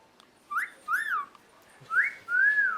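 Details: A male green Indian ringneck (rose-ringed) parakeet, a talking pet on a quiet day, gives four clear whistled notes, each arching up then down over about half a second, with short pauses, indoors.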